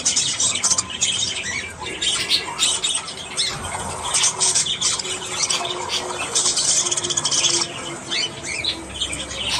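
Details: Budgerigars chattering in the morning, a continuous mass of harsh high squawks and chirps from several birds, with occasional softer warbled notes underneath.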